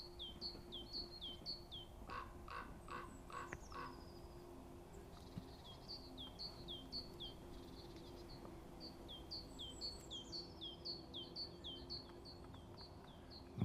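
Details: Common Raven recorded from a hide in the Považský Inovec mountains: a quick burst of four harsh, rasping calls near the middle, over a small bird's steady series of high, whistled down-slurred notes repeated throughout.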